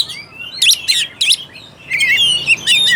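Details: Oriental magpie-robin song meant to stir a reluctant bird into singing: three loud bright bursts close together, a short pause, then a flowing twittered phrase of rising and falling whistles.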